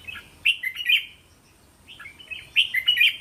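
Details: Red-whiskered bulbul teasing song of the competition style, used to train young bulbuls to sing back: two bursts of bright, warbled phrases of several quick syllables, separated by a one-second pause, over a faint steady high hiss.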